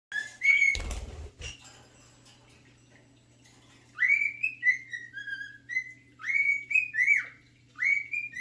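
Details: Male pet cockatiel whistling his favourite song, the tune The Sounds of Silence: a string of clear, flute-like whistled notes, each sliding up and then dropping, with brief pauses. A low steady hum and a couple of knocks are audible.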